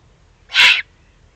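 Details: Excited juvenile Eurasian eagle-owl in the Eifel, Germany, on 21 June 2020, giving one harsh, breathy rasping hiss of about a third of a second against a quiet background.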